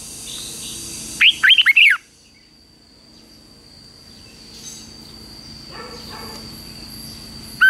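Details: Red-whiskered bulbul during morning training for competitive song: one brief burst of four quick, loud, slurred whistles near the start, followed by long quiet with a thin steady tone and faint distant chirps.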